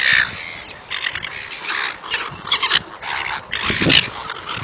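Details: Feeding seagulls heard in short, rough squawks scattered unevenly, some faint and some sharper, over a hissing background with a few louder bursts near the end.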